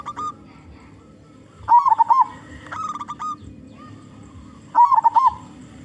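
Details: Local zebra dove singing loudly to lure other zebra doves: two strong bursts of fast, bubbling coos about three seconds apart, with a shorter run of stepped hoots between them and a faint low murmur.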